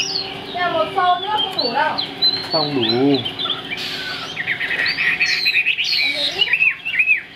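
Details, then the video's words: Strong-singing caged Chinese hwamei with a fig-leaf tail mixes looping whistles and quick chattering notes, while a person's voice murmurs in the background partway through. "Bộ khủng hót cực tốt, đuôi lá vả, hót cao cầu | Họat Họa Mi"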